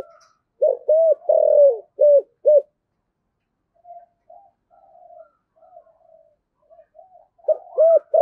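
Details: Decoy spotted dove cooing in giọng thổ style: a loud phrase of arched coos with one long drawn note, a quiet murmuring gap, then the phrase starting again.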